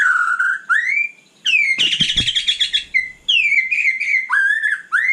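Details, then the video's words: At night a white-rumped shama sings loud clear whistled phrases, rising and falling, with one harsh buzzy burst in the middle. "Kicau malam murai batu super GACOR"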